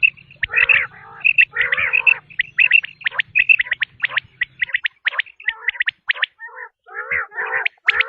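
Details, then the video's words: Quail calling in a tested sound: rapid bright clipped notes, roughly ninety per minute, with interspersed grating lower chatter and a faint low hum beneath during the first half. "بٹیر کی آزمائی ہوئی آواز ۔ | Quail Tested Sound | Batair ki Awaz"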